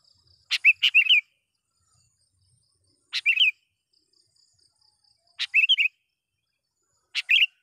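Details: Sooty-headed bulbul used as a lure for wild birds calls in spaced phrases every two to three seconds, a sharp click followed by a short rolling warble, with a faint steady high whine.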